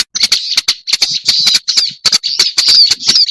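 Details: Black-browed reed warbler lure recording: a harsh, scratchy chatter centred high in pitch, broken by sharp ticking clicks in quick irregular bursts, with short gaps between phrases.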